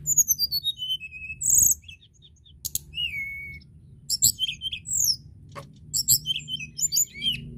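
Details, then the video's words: Tledekan gunung singing hard, recorded to encourage other tledekan birds: a cascade of high whistles stepping down the scale, then dense bursts of squeaky twitters and chirps, over a low hum. "Tledekan gunung gacor dorrrr"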